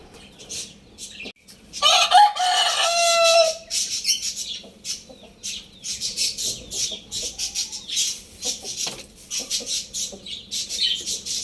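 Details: A single loud, grating cock-a-doodle-doo from a Lohmann Brown rooster lasts nearly two seconds. Afterward comes a dense, continuous chatter of high-pitched chirps from many small birds.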